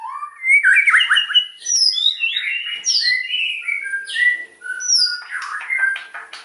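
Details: White-rumped shama giving loud, varied song meant to stimulate: mellow warbling whistles, upward and downward slurs at different pitches, and a scratchy chattering end.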